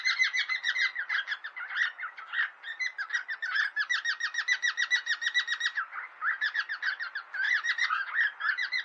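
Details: Two or more pet cockatiels in a friendly fight produce an unbroken run of rapid buzzy chirps, roughly three to four per second, loud and scratchy throughout.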